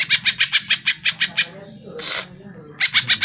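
Greater green leafbird giving a fast string of harsh, chattering notes, about six per second, then a brief rasping burst and more chatter.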